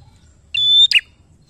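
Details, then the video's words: Bar-winged prinia in full song, a recording used to lure other birds into singing: a single steady high whistle of about a third of a second, then two quick sharp notes dropping in pitch, over faint low background noise. "Prenjak gacor khusus Pancing Bunyi prenjak bahan"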